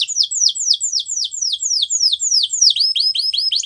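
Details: Domestic canary singing a training song for canaries: a fast series of high, downward-sweeping whistled notes repeated about four times a second, switching near the end to a shorter, quicker repeated note.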